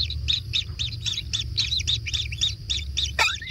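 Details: Kingfisher chicks in a natural nest being fed, begging ever more intensely: a steady run of short, high double-toned chirps, roughly two a second, ending in a sharp downward-sweeping squeal, over low background rumble.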